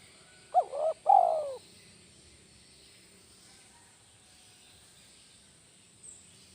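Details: Spotted dove, a lure bird in kuk 1 style, gives one coo phrase: a short rising note, then a longer wavering coo that slides down, followed by quiet with faint background hiss.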